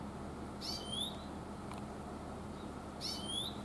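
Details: Oriental greenfinch in the mountains giving two high, thin, slurred 'chuiin' calls about two and a half seconds apart. Each falls and then rises into a drawn-out whine. Steady broad background noise throughout.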